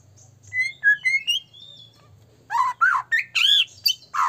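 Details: Lure song of a chatty white-rumped shama, used to goad other shamas into singing: clear separate whistles first, a quiet gap, then loud harsh chattering and sweeping squawky notes; steady low hum behind.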